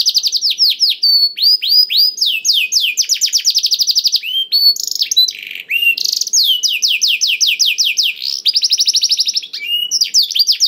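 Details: Canary singing to stimulate other canaries to sing: fast rolling trills, repeated high chattering notes, and series of descending whistled slurs, continuous and loud throughout.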